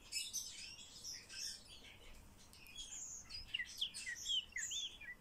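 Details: A common starling being trained to talk gives a rapid mix of high squeaks and chirps, then a series of short downward-slurred whistles that quicken toward the end.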